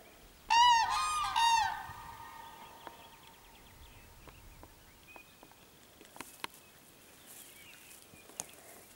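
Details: Cranes calling while confronting a dog on 21 April 2015: two loud, harsh trumpeting calls, each about half a second long and close together, then quiet with faint small-bird song and scattered clicks.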